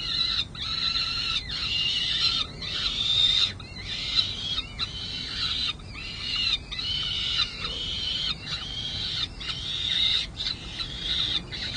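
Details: Peregrine falcon chicks at a San Jose City Hall nest, 23 May 2022, begging for lunch as an adult inspects the nest: harsh, grating screams with strong harmonics, given in bursts about once a second, with short gaps.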